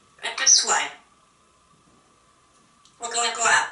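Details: An African grey parrot talks in two short, bright, word-like bursts about two seconds apart, with a faint steady hum in the pause, chattering about a party.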